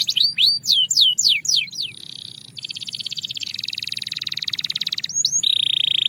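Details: Belgian canary song with quick descending whistled sweeps at the start, followed by a long fast rolling trill with rapid even pulses, then a short slur and a steady held note.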